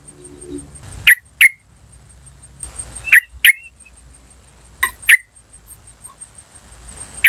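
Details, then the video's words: Wild yellow-vented bulbul giving its 'cuk cuk cuk' call, used as a lure for wild birds: short sharp chips in pairs about every two seconds, with a steady high insect-like whine throughout and brief silent gaps. "PANCINGAN TRUCUKAN BAHAN Asli Suara Alam Liar CUK CUK CUK memanggil"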